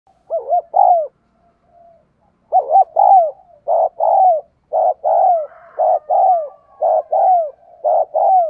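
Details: Decoy spotted dove calling vigorously to lure wild doves, repeating short paired mellow coos, each with a rising-then-falling hoot, in steady bursts after a brief pause; a faint thin whistle runs behind.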